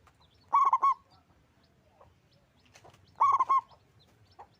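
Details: A local zebra dove in vigorous, loud song, giving two clusters of fast, bubbling cooing notes nearly three seconds apart, with soft scattered chirps between them.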